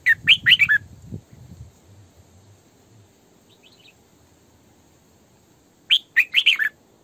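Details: Female red-whiskered bulbul kept as a decoy, singing. A loud cluster of fast, bright, tumbling notes opens the passage. A soft faint phrase follows mid-way, then another energetic burst of warbling.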